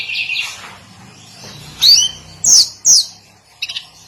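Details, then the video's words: Hill blue flycatcher singing its daily song: three loud, very high downslurred whistled notes spaced about half a second apart, then a faint short twitter, over soft low background hum. "Kicauan harian Tledekan gunung"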